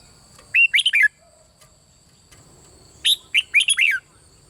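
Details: Red-whiskered bulbul singing a bern-style song continuously, meant to be played to stimulate other birds: two quick phrases of bright whistled notes, rising then dropping, about two and a half seconds apart, over a faint steady high whine.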